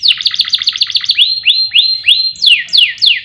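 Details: Canary singing as master song for songbirds: a fast trill of short notes, then slower rising whistled phrases and falling sweeps, each repeated about three times a second.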